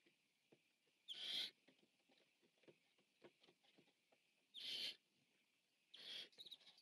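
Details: Feeding Barn Owl owlet, largest of the brood, on a nest camera on 14 September 2015: three hissing screeches, the last one broken and stuttering, over steady scratching and shuffling noises.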